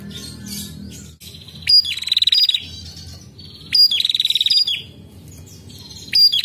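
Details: A female prinia gives loud bursts of rapid, buzzy, rattling notes, each about a second long and repeated every two seconds, with faint background murmur.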